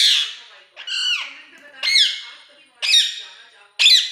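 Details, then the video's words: Pet parrot giving loud, harsh squawks about once a second, each a sudden raspy burst that fades. Five calls are heard in a quiet room. "parrot sound"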